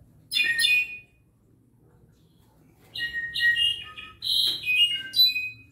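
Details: Clay-colored thrush (zorzal cafetalero): a brief squeaky burst, a pause of two seconds, then chattering whistled and buzzy notes in two clusters.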